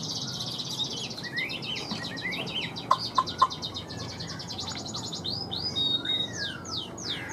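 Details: Caged wild-caught male Chinese hwamei, newly brought in, northern Vietnam, pre-rain weather: dense high chirping and trilled phrases, a few sharp clicks midway, ending in loud swooping whistled slurs.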